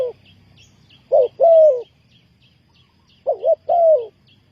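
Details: Spotted dove, a trapping decoy for luring wild birds, gives two phrases of soft hooting: a short note, then a long sliding coo, the second phrase opening with a wavering double hoot. Faint high chirps tick along in the background.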